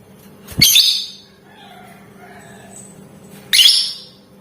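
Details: Lovebird calls used to provoke other lovebirds into answering and singing, described as rapid ticking and cackling; two short harsh broadband bursts about three seconds apart over a faint steady low hum.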